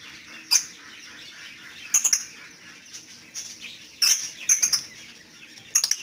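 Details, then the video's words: Lovebird with brief shrill high-pitched chirps, some in quick doubled or tripled clusters, spaced by pauses of about a second or more, in otherwise quiet surroundings. "Love Bird"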